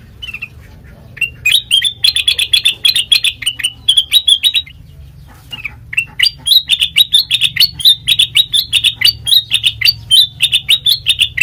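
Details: Melodious sooty-headed bulbul song used as a training lure for other birds: dense rapid chirping with crackling ticks, a short lull around five seconds, then a longer steady burst, low hum throughout.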